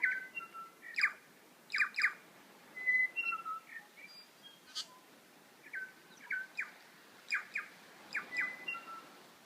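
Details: Wild birds calling in Abel Tasman National Park, New Zealand: short clear whistled notes and brief sharp chirps, paired and scattered irregularly, about one per second, some higher and some lower, over quiet background.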